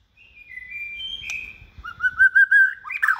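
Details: Hand-raised white-rumped shama in its second season, a bold contest singer kept in a cage, starts with faint level whistles, then a loud run of rich looping notes rising toward a sharp ending.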